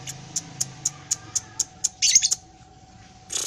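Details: Lovebird ngekek with tail movement: evenly spaced high ticks, then a short scratchy rapid chatter, then quiet before another rough burst begins.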